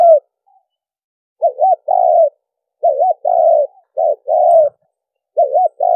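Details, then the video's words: Spotted dove lure recording used for trapping, with cooing: a short low coo, then repeated phrases of a quavering double note followed by a longer, even coo, separated by silent gaps. The background is clean. "cu gáy mồi kèm gù dùng đi bẫy"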